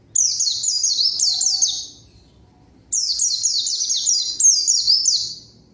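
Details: White-eye song meant to call a rival bird: two long bursts of fast, high, down-slurred whistled notes chained together, each lasting around two seconds with a short silent gap between them.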